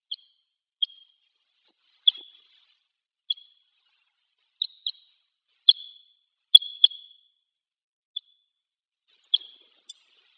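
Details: Crossbill by pine trees on Hegura Island, Japan, visiting to drink: high, abrupt chip calls given singly and in quick pairs, roughly a dozen across the stretch, uneven spacing, no other sounds.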